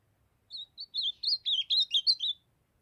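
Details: Young ultramarine grosbeak from the Brazilian Northeast, still brown-plumaged, delivering its song: a quick two-second phrase of about ten clear, slurred whistles rising and falling, clean with no other sounds.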